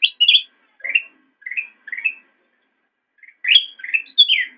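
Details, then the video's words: Black-crested bulbul in a master recording for training cage birds: high, scratchy opening notes, three mellow rising phrases, a pause of about a second, then louder, descending warbled notes. "Ocehan Burung Kutilang Emas"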